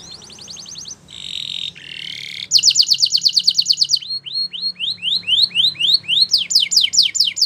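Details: Belgian canary song for training young canaries: quick trill, two buzzy rolls, a fast high chatter, then rising whistles and descending chirps repeated rapidly.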